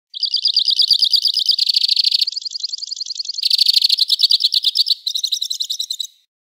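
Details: Two-barred crossbill singing a chain of fast, dry trills, each section shifting to a new pitch, some buzzy and others clear and bouncy, ending after about six seconds.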